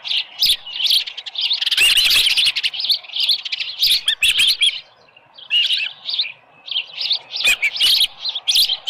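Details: Osprey at the nest, July 24, 2018, about 6:52 AM, with a headless fish: insistent strings of shrill whistled chirps, a loud clattering flurry near the start, a brief lull, then renewed calling.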